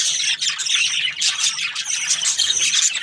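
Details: Budgerigar breeding pairs giving a brief burst of shrill chirps, thin high whistles and scratchy squawks, all overlapping in a dense chatter.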